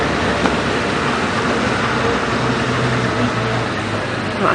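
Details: A running vehicle engine drones steadily with broadband road noise and no animal sound.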